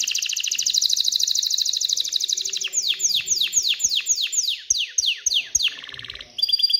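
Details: Aroused canary song meant to push females toward mating and nest building. A dense fast trill is followed by a series of sweeping downward notes repeated about four per second, ending in short mixed rolls.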